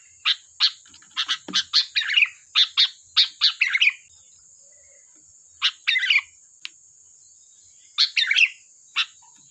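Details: Sooty-headed bulbul singing as a lure: fast strings of sharp chirps running into bubbly warbled phrases, a pause, then further chirp-and-warble bursts, over a steady high hiss.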